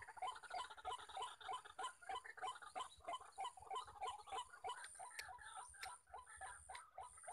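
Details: White-breasted waterhen in the wild, one of many males calling near a decoy: rapid rhythmic croaks fading midway as a high insect-like buzz and sharp clicks take over.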